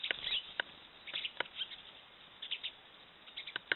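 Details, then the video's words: Great spotted woodpecker (Dendrocopos major) in Austria in January 2017 gives sharp, high 'kik' notes at irregular intervals, roughly one to two per second, with soft chattering between some notes. "Great Spotted Woodpecker"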